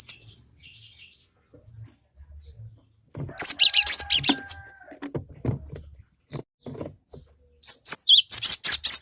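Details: Lure recording of a cinereous tit meant to draw song from other birds: high twittering bursts with short whistled slides, a faint steady tone underneath, and a final rapid series of sharp notes.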